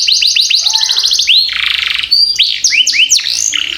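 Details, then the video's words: Canary used as a master song for training young birds to sing fast; bright high trills of rapid repeated notes, then sweeping downward whistles and buzzy rolling phrases, continuous and loud. "Masteran Kenari Gacor Ngerol Panjang"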